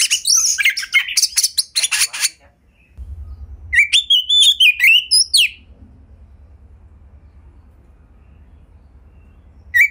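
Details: Oriental magpie-robin kept at home, singing to stir other birds into song: two seconds of dense, scratchy chirping, a pause, then a run of whistled rising and falling notes, and mostly quiet afterward with a faint low hum.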